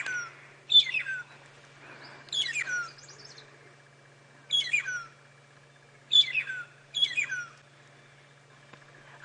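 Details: Magpie shrikes (long-tailed shrikes) at Djuma Game Reserve, South Africa, on a 7 AM safari drive, 25 Sept 2016, trade clear descending whistled phrases, five bursts in about nine seconds like call and response, over a low steady engine hum.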